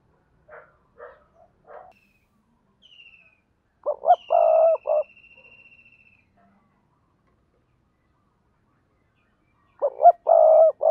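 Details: Spotted dove, a lure bird from Đồng Nai, Vietnam, cooing in the double-voice decoy style. Faint stuttering notes open the clip, then a loud phrase of hoots and a long coo, repeated near the end. A thin high whistle sounds between phrases.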